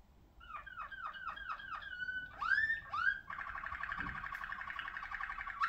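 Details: A Malinois Waterslager canary sings a run of six quick, liquid, bubbling notes, then two sweeping whistles and a rapid, rolling water-like trill.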